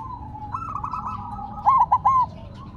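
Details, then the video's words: Silver zebra dove placed on the ground still sings, ending with one loud, crisp three-note coo phrase after a softer rolling coo from another dove. "Perkutut Silver Tetap Gacor Walaupun Ditaruh Tanah"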